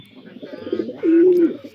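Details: Domestic pigeons in a loft in the morning, calling out for food at feeding time, give low, murmuring coos, ending in one long, steady hum of a note.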